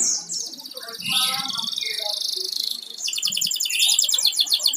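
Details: Pet canary kept at home, singing: fast high rolling trills and buzzy rattling phrases, shifting into a rapid repeated chopping trill, with faint low speech or clatter in the background.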